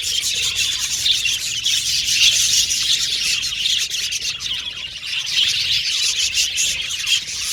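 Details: Budgerigars from Australia chirping contentedly, an unbroken stream of soft high twittering and rapid chips at an even loudness throughout.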